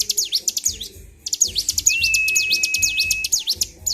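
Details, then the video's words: Excited caged bar-winged prinia in continuous song, rapid V-shaped high notes pouring out in fast runs, a brief pause early on, and a long thin level whistle running beneath the middle section. "CIBLEK GACOR || PANCING EMOSI BURUNG CIBLEK"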